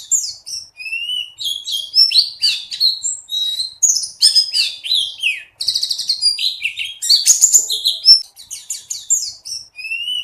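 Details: Mountain white-eye of the buxtoni form delivering an extended, energetic song meant to get other white-eyes singing and raise their breeding drive: continuous high twitters, rapid buzzy trills and swooping whistled notes in quick succession, briefly pausing twice.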